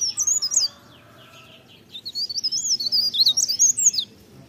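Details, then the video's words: Leaf warbler singing in the morning, an opening high squeaky phrase, a brief pause, then a rapid string of thin, tinkling, rising and falling warbles. "cikrak daun, pare pare, blerengan gacor pagi hari merdunya"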